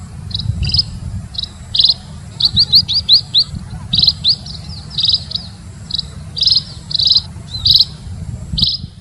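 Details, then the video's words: Munia calling with high, bright chirps, including a quick run of short slurred notes early on, then more evenly spaced chirps over a low background hum. "KICAU BURUNG PIPIT"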